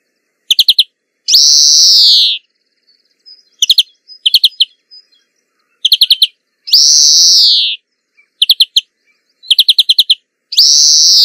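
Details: Greenfinch song in nature alternates quick bursts of sharp trilled chirps with long nasal buzzing wheezes, the pattern repeating several times over about eleven seconds.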